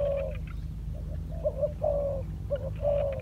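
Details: [1, 'Spotted dove, a decoy bird being trained on the ground, gives short soft mid-pitched coos in uneven bursts with brief pauses, over a steady low mechanical hum and faint clicks.']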